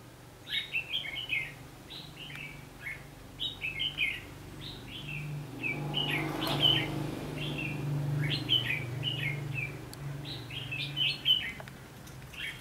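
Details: Red-whiskered bulbul recorded during a trapping session on 19 November 2015: bright, warbling phrases of quick slurred whistles, repeated several times a second in short bursts, over a steady low engine-like hum.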